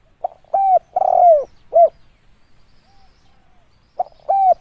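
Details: Spotted dove call for luring: a clear phrase of short coo, long falling coo and abrupt final note, then another phrase beginning after a brief silence.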